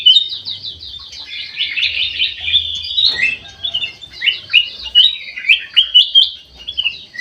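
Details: Aviary bulbul in very active song: a fast stream of crisp, twittering notes, then a series of separate sharp chirps in quick succession, over a faint low background hum.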